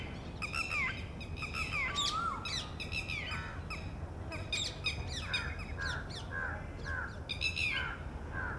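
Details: Alarm calls of a female red-wattled lapwing as an egg hatches in her ground nest, meant as a warning to the chick; shrill descending notes in quick clusters early on, then mixed with lower repeated calls from other birds and constant low rumble.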